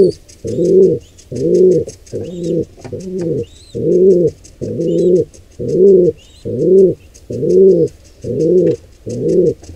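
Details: During an intruder pair's attack on a pigeon squab at a wild nest, rhythmic gruff coos sound roughly every 0.8 seconds, steady and evenly paced, with faint high twitters of other birds throughout.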